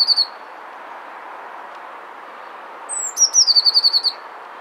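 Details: Eurasian blue tit singing to court a female. The tail of one trill is followed by a quiet gap, then a full phrase: a high, drawn-out thin note leading into a fast, ringing trill of repeated notes. Background hiss is faint.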